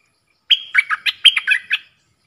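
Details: Caged red-whiskered bulbul in a song duel with wild birds, dok taeng singing style, recorded in Thailand on 3 October 2021: a clear run of about eight quick, ringing whistled notes over roughly 1.4 seconds in silence.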